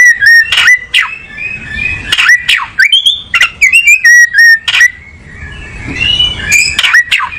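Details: Oriental magpie-robin repeating clear whistled notes and short sweeping slurs, interrupted by loud percussive clicks and rattles.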